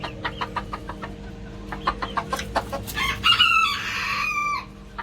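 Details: Growing male Ko Shamo (bantam Shamo) in a coop gives a run of quick, sharp clucks, then a rough, strained crow with a squeaky tonal edge, lasting about a second and a half.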